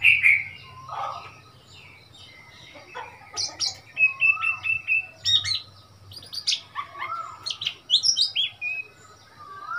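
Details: Wild Oriental magpie-robin in Thailand visiting a cage, February 2021, singing a long, varied run of sweet whistles, slurred notes and quick chirps at changing pitches, delivered in bursts over a faint low hum.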